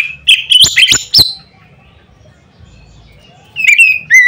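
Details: Oriental magpie-robin singing loudly to provoke others of its kind: a dense burst of harsh, buzzy chirps and clicks mixed with whistles, a two-second pause, then steady clear whistled notes.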